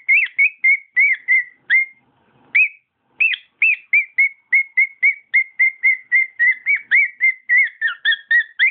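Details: Whistled song of a pet cockatiel: a few notes, a short pause, then an even run of quick whistles ending in doubled, two-toned notes.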